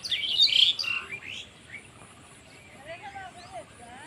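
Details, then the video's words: Bangladeshi village birdsong: an opening cluster of loud high chattering chirps, then faint thin warbled whistles over steady background hiss. "Birds chirping sound in Bangladeshi village"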